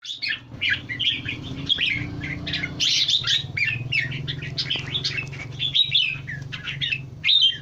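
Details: Red-eyed bulbul singing: busy runs of bright chirpy whistled notes, rising and falling, with a steady low hum underneath.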